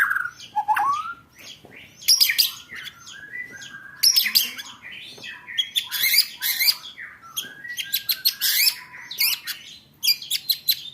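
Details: White-rumped shama training recording for contest birds: a falling whistle, then repeated harsh high bursts and rattling rolls mixed with short slurred notes, full and energetic throughout.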